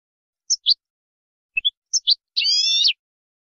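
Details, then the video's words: European goldfinch song for training birds: short high twittering notes in two pairs, then a buzzy harmonic trill lasting about half a second, on a clean silent background. "تعليم الحسون أفضل تغريد في العالم بدون أخطاء"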